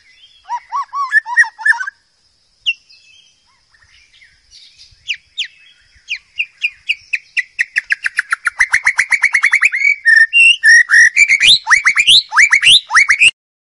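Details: Wild white-rumped shama song used to tutor young birds. Scattered whistled phrases build into a fast, accelerating stream of sharp, rising chips and trills that grows louder and denser toward the end.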